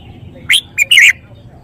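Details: Caged red-whiskered bulbul showing off its song phrasing: a short loud phrase of three bright chirped notes, the first a quick rising note, then a brief clipped note and a longer warbled, slurred ending, over a quiet background.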